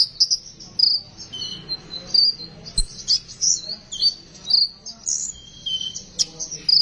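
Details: Sunbird in besetan song style, a recording meant as a lure to stimulate sunbirds to sing: high, thin chirps and short sliding whistles in rapid bursts, with a faint low hum underneath.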